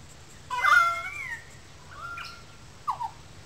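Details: Currawongs calling loudly in a small gully above wetlands at Sydney Park, St Peters, Sydney: a loud wavering whistled note with harmonics, then a fainter level whistle and a short downslurred note.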